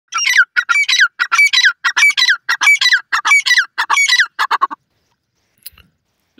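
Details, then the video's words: Partridge-type call, described as Sindhi teetar (francolin): a rapid series of harsh, loud notes, about ten bursts in under five seconds, then silence. "sindhi teetar ki awaz"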